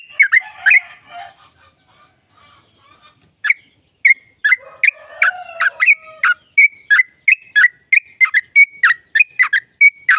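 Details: Sooty-headed bulbul, a caged bird, in a long trill used to spur others to sing: a muddled start, then crisp rapid chirps with whistled notes repeated about three per second, over a faint lower warble.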